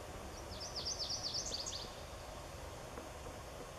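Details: Bird singing on Larch Mountain: a single thin, very high phrase of quick rising and falling notes lasting about a second, over constant broadband background rumble.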